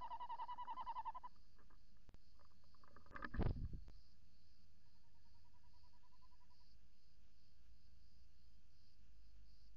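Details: Tawny owl at a nest box on 28 December 2018 around 05:43, the female calling in the entrance hole on camera while the male calls outside; a strong pulsed trill opens, then fades into a softer, distant trill amid quiet hum.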